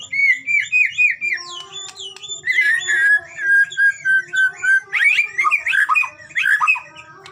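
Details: White-rumped shama (murai batu) in a training recording played to spur shamas into frequent, lively singing; loud varied whistled phrases, rising and falling, in quick bursts roughly every half second, over steady low humming tones.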